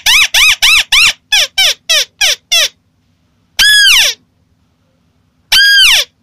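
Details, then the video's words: White-browed crake lure call for bird trapping, with a quick series of nine nasal, arched chattering notes, then two longer, harsher squeals that slide downward. "Suara pancingan burung TIKUSAN alis putih"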